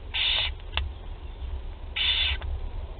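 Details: First feeding of barn owl chicks at Théding, France, 8 July 2020: two loud, rasping, hissed screeches roughly 1.7 seconds apart, each followed by a brief click.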